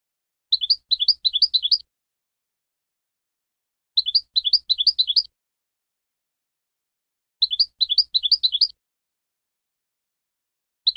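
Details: European goldfinch giving short bursts of rapid, rippling twittered notes, each burst lasting a little over a second and repeated about every three and a half seconds, with silence between phrases.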